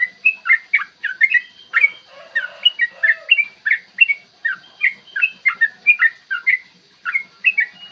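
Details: Yellow-vented bulbul pouring out a lengthy, rapid 'ropel panjang' song recorded in the morning as a lure to provoke singing and fighting: a rolling chain of liquid whistled notes, with a short lower warble in the middle.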